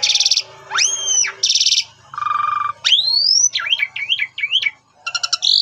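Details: Asian pied starling in a lure song for drawing answers: grating bursts alternate with a looping high whistle, a low nasal buzz and a run of quick zigzag whistled notes, ending in harsh chatter.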